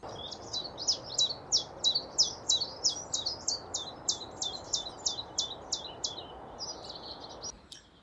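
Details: Common chiffchaff (Phylloscopus collybita) song, a bird that calls its own name over and over: a steady string of sharp, high chiff-chaff notes, about two per second, seesawing slightly in pitch over a low background rumble.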